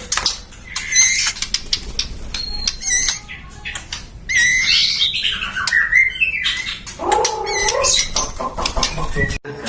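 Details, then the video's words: Song of a white-rumped shama bred in captivity by a contest-bird keeper in Depok, Indonesia: varied whistled and buzzy phrases with harsh squawks, scattered clicks and a lower warbled burst near the end, in an enclosed aviary. "Burung Murai suara kicaunya gacor"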